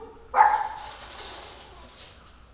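A single loud whistled call from a wigeon, a short clear note that quickly fades. Steady hiss in the background, possibly wind or water.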